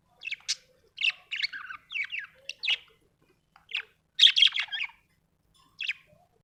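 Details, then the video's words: Cheerful budgerigar chirps in quick clusters of short, buzzy, twittering notes with brief pauses, ending on a louder burst of chatter and a final single chirp against a quiet background. "Happy budgie chirping sound"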